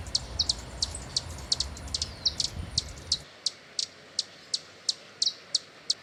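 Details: Hummingbird giving sharp, high, dry chips about three per second in a steady series; a low rumble of background noise fills the first three seconds, then drops away.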